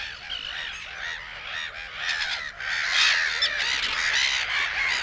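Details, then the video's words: Black-headed Gull flock in the Matsalu reed beds. Arched, scratchy cries repeat rapidly and overlap, growing louder and denser in the second half into a noisy clamour. "Black Headed Gull"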